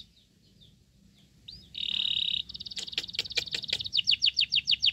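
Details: Sooty-headed bulbul chick being given crickets: faint notes, then a loud flat buzzy whine, a few sharp clicking knocks, and a rising run of rapid high begging chirps.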